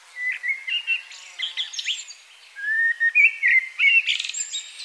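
A Common Blackbird sings mellow, fluted whistled phrases near mid pitch, each ending in a thin, scratchy high twitter. No other sounds stand out.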